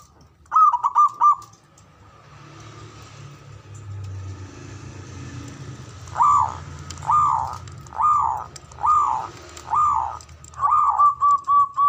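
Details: Ngoar manggung call of a male zebra dove, meant to excite mating arousal: a quick triple note, a pause with low hum, then six arched coos about a second apart.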